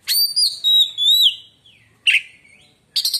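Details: Oriental magpie-robin song, said to make other magpie-robins fall silent: long clear whistled notes gliding down, with overtones, followed by a short burst note and a final rapid buzzy trill.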